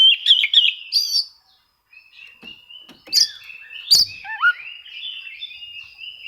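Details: Oriental magpie-robin singing as if seeking rivals, a song used to provoke quiet magpie-robins into singing; loud whistled phrases, a brief hush, then varied slurred and rising notes.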